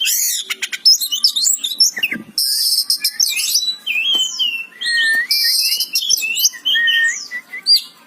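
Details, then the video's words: Kacer, the Oriental magpie-robin, singing a varied stream of clear whistles, fast trills and harsh buzzy bursts, with slurred notes rising and falling between high twittering passages. "Suara burung kacer gacor"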